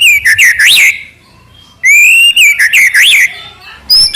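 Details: Loud clear whistling from a white-rumped shama, or murai batu: looping rising-falling phrases, a long rising whistle, then more swooping notes and a high thin whistle at the end.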